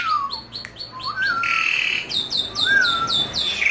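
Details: Asian pied starling, kept in a cage, singing loudly to coax other birds: short clicking notes, drawn-out slurred whistles and a harsh buzzy rasp in the middle.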